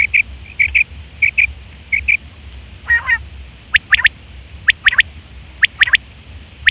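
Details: Female quail: first short thin chirps, then a brief raspy burst, then crisp high notes in tight triplets repeated about once a second, over a low background hum.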